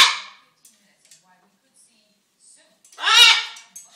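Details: Pet macaw trying to get attention and hungry, described as talking and dancing: a short rasping burst at the start, then after a quiet gap one loud, harsh, squawk-like utterance with stacked bright harmonics lasting about half a second.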